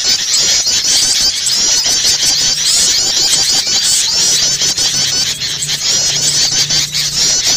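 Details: Bar-winged prinia starter lure call, mixed with noisy bulbul calls, used to attract birds: a dense, nonstop wall of high, sharp chattering and trilled notes from several overlapping birds over a faint low hum.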